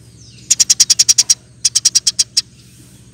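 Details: A Eurasian tree sparrow calls in vigorous rolling-chirp song meant for training birds. Two quick bursts of about eight and seven sharp, high chirps are separated by a short pause, over a low steady hum.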